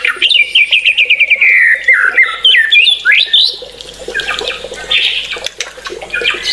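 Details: White-rumped shama in excited, full song: rapid repeated whistled notes that bounce and drop, then rising slurs, fading into softer scattered chips over a faint hiss.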